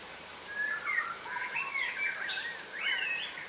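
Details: Yellow rosellas, a subspecies of crimson rosella, feeding on the ground and wary; short whistled notes slurring up and down around one to three kilohertz, overlapping in a soft chattering series over a hushed outdoor background.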